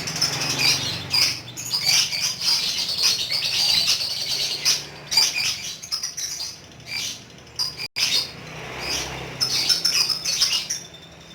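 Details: Lovebird kept as a pet, singing ngekek: rough, high-pitched chatter in uneven bursts across the whole stretch, some runs longer than others, over a faint low background hum.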